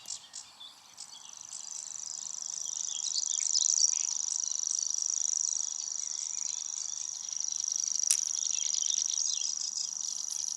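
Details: Grasshopper Warbler, a declining Red List migrant of scrub and reedbed, giving its reeling song: a continuous, very high, insect-like buzzing trill sustained without break throughout, steady with slight swells in loudness.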